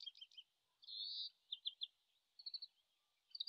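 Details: A far-off Oriental greenfinch, still practising song in late March in Japan, shotgun microphone: faint twitters lead into a drawn buzzy note, then clusters of three or four sharp chirps separated by gaps.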